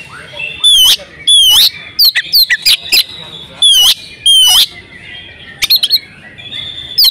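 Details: Breeding-condition female oriental magpie-robin, a call meant to make males sing: long buzzy wavering whistles alternate with short bursts of sharp clicks, separated by brief pauses.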